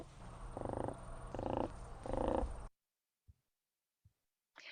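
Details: Whooping crane contact call, the soft purring a parent uses to communicate with its chicks: three low purring pulses, each under half a second, over a room hum, then silence.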